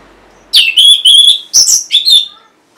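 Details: Orange-headed thrush song, used as a lure to prompt stalled or lazy caged thrushes to sing: loud, clear whistled phrases, the first rising into a long sustained note, then a sharp burst and a final warbled phrase.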